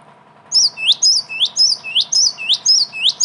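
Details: Java sparrow calls played as a trapping lure, a steady run of bright, high chip notes with quick downslurred flicks, roughly two per second, continuing without pause over a faint electrical hum.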